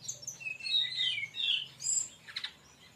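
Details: Brown-chested jungle flycatcher song in its 'tembakan' burst style, used to lure or tutor other birds: quick high sweeping whistles and buzzy slurred phrases tumbling in varied order, ending in a short rattled burst, over a faint low hum.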